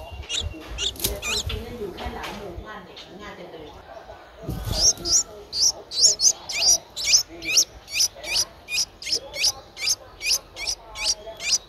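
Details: Ten-day-old Streak-eared Bulbul nestling, Ubon Ratchathani, Thailand, 12 April 2023: thin, very high chips. After a few seconds of rustling handling noise, the chips settle into a steady series of about two per second.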